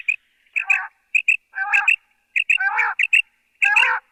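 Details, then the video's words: A quail, a recording used for hunting in Pakistan, calls about once a second: two sharp, high, clipped notes, then a harsh, buzzy rasp, with no other sounds. "QUAIL VOICE"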